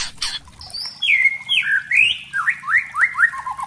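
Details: White-rumped shama (murai batu, young spotted 'trotol' bird), probably caged, singing a lure song to stir other shamas into full singing. A run of clear, varied whistled phrases: long sliding notes, then quick rising and falling whistles repeated in short bursts.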